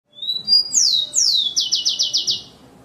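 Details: Rufous-collared sparrow (tico-tico) singing: two clear high whistled notes, then two sharply descending slurred whistles, ending in a fast even trill of about seven buzzy notes; faint low background rumble.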